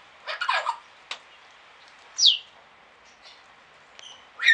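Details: A king quail in a garden aviary in Pelhřimov, Czechia, on a rainy November morning (6 Nov 2017) gives a high, clear downslurred whistle, with a rough rattling burst, a sharp click and a short rising note around it.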